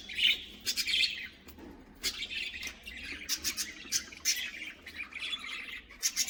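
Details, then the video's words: A colony of budgerigars in a cage, busy overlapping chirps and short squawks, high and scratchy, coming in irregular clusters throughout. "Budgies colony! 😱🦜Budgieschirping!🕊️Budgies sounds!"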